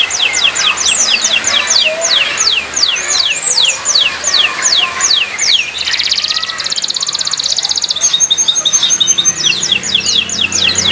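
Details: Canary singing on a Friday morning, a series of steep descending whistles and rattling trills against a noisy background with steady hiss.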